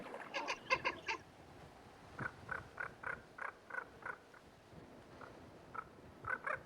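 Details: Mated pair of common ravens in Yellowstone attacking a golden eagle near their nest, alarm calls echoing through the mountains; quick rattling croaks at first, then a steady series of short hoarse knocking calls spaced under half a second apart.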